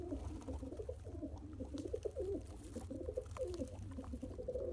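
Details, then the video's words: A one-day-old baby pigeon being fed by its father by pumping makes soft, low, wavering squeaks and murmurs that run continuously over a dull background rumble. "Pigeon Feeding Original Sound"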